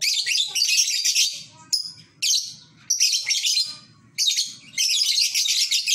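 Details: Ngekek chatter of a lovebird heard in a home village: rapid high twittering streams, each lasting one to two seconds and separated by brief gaps, with soft low rumbling in the gaps.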